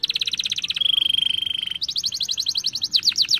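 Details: Young canary song used as a lure to start singing: a rapid pulsed trill, then a sustained even rolling trill, followed by quick repeated chirping phrases and falling sweeps, high and continuous.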